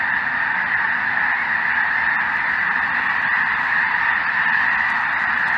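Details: Snow Geese mixed with Greater White-fronted Geese and possibly Ross's Geese calling en masse on a cold southern Indiana afternoon; loud, steady blanket of overlapping honks and yelps throughout.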